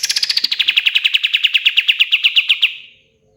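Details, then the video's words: Lively song of a pied fantail: a strong, rapid string of around twenty-five pulsed notes, each slightly lower than the last, trailing off after about three seconds. "SUARA BURUNG KAPAS TEMBAK KATEM GACOR"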